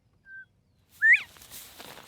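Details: A wild Northern Bobwhite in Texas grassland quail habitat managed with prescribed fire whistles its name: a soft, level 'bob' then a loud, sharply rising 'white!', with brushy rustling and outdoor noise afterward.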